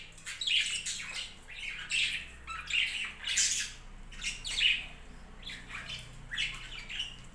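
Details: Budgerigars on a budgie farm chattering indoors: overlapping squawky, warbled notes in quick bursts, several birds calling at once, rising and falling in loudness throughout.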